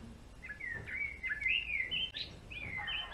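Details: Male European greenfinch singing a continuous twittering run of quick chirping and trilled notes, wavering up and down in pitch for about three seconds, with faint background hum.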